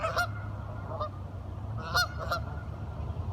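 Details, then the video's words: A few short nasal duck calls from curious ducks talking, a pair near the start and another pair after a pause, over a steady low hum. "Duck Sounds - Curious ducks talking"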